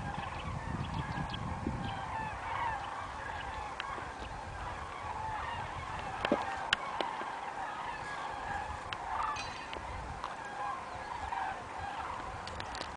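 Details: Two formations of common cranes (Grus grus) fly over Wermelskirchen on 17 November, giving a distant steady chorus of overlapping rolling, trumpeting flight calls over a soft low rumble of wind.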